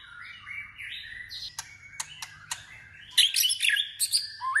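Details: White-rumped shama practising competitive song: a run of stepped whistled notes, sharp clicks, then a loud complex burst of mixed warbles and whistles.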